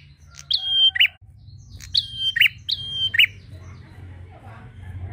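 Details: Prinia in lively song, calling a rival to stir other prinias into singing: three phrases, each a flat, bright whistled note ending in a short buzzy burst, with faint low rumble behind.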